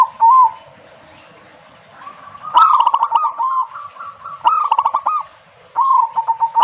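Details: Zebra dove song made of soft rolling coos. A brief note opens, then several rapid stuttering phrases follow one another, each starting with a clicky attack and breaking into quick pulsed notes that stay level in pitch.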